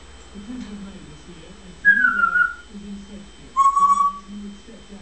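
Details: Caged pet African grey parrot reacting as its owner leaves for the bathroom, two separate bright whistles, the first sliding downward, the second a short rising then level tone, over a low room hum and soft background voice.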